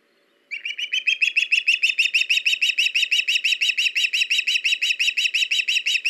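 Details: Ospreys at a nest on a live nest camera, 21 August 2019, as the male brings a fish to the female and a young bird sits in a nearby tree; a sharp whistled chirp repeats about three times a second, rising slightly, steady and insistent.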